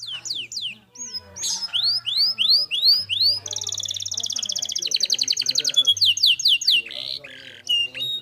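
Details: Vigorous canary singing as a training model for other birds: quick upslurred whistles repeated about twice a second, then a long dense buzzy trill and further swept notes over a faint low hum.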